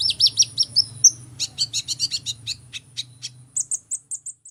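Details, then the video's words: Hummingbird singing very high, sharp twittering notes in quick succession. It starts with rising squeaks, then gives short clipped ticks about every third of a second. A soft low hum runs beneath most of it. "Kicauan Burung Kolibri"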